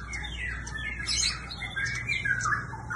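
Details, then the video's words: Singing bird with quick squawky chirps and short whistled slurs, fairly dense and irregular, with a faint low hum beneath. "Singing bird."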